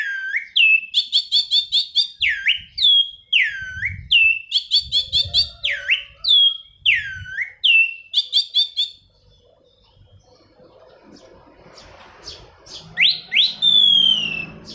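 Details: Orange-banded thrush singing a lively rolling song, meant to lure and tutor other birds: rapid runs of sharp, rising-and-falling whistled phrases repeated over and over. The song pauses midway over faint background noise, then returns with a long whistle.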